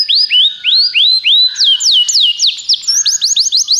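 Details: Belgian canary used as a singing tutor, delivering loud upslurred whistles repeated about three times a second, then a run of steeply falling slurs and a return to quicker rising notes.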